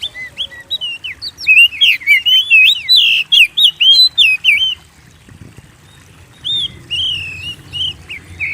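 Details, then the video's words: Lively kacer, or Oriental magpie-robin, whose song lures kept birds into singing: a fast, loud run of varied whistled notes, a brief lull, then softer whistled phrases resuming. "Pancing Burung Kacer Gacor"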